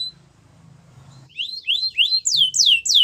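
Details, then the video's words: Belgian canary singing to make other canaries sing: after a quiet start, loud downward-slurred high whistles follow one another about three times a second. "Special canaries to seduce all the canaries to make them sing | Belgian canary"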